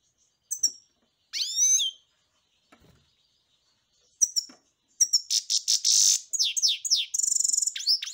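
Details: Song of a European goldfinch: scattered high chirps and a slurred whistle, then a long rapid medley of tinkling twitters, buzzy trills and sliding notes.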